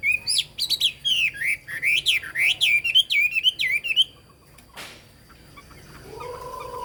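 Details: A Chinese hwamei sings rapid, varied whistled slurs and flicking notes for about four seconds, then falls silent, leaving a sharp click and a faint low hum.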